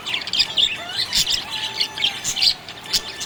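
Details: Cheerful budgie chatter made of quick, sharp chirps and squeaky trills packed closely together, plus a soft level whistle drawn out in the middle.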